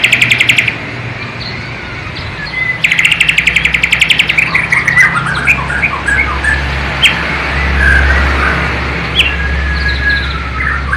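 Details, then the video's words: White-rumped shama of Borneo, East Kalimantan, singing imitations of the sikatan londo flycatcher and nightingale; low-resolution camera recording. Two bursts of fast, harsh rattling trills, followed by scattered sweet whistles and short slurred phrases. "MURAI BATU BORNEO ISIAN " SIKATAN LONDO / NIGHTINGALE ""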